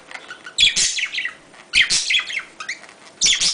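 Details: Domestic budgerigar sound meant to encourage mating: bursts of dense, scratchy chirping roughly every second or so, each burst starting with a sharp click, with quieter warbling in between.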